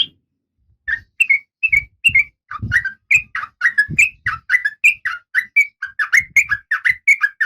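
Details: Caged female oriental magpie-robin in breeding condition, calling for a male. A steady stream of short, clear whistled notes, several each second, with soft low thumps beneath.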